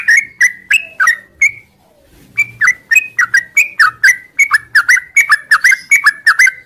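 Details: Sooty-headed bulbul in the morning singing a long 'ngropel' style song: clear, bright whistled notes with quick downward and upward slurs, repeated about twice a second after a short pause, steady and rhythmic.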